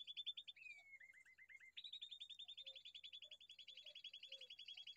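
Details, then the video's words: Young bulbul chick calling almost nonstop: quick, high, clipped chirps in long even runs, briefly dropping to a lower pitch with a downward slurred note before climbing back up. Faint lower notes in the background. "Bulbul bird beautiful baby"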